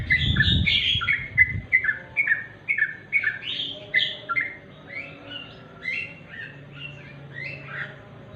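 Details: Sooty-headed bulbul giving its natural song in the style known as remang-remang. Bright chirpy two-part notes repeat rapidly, about three per second, fading gradually toward the end, with a brief low thump at the start.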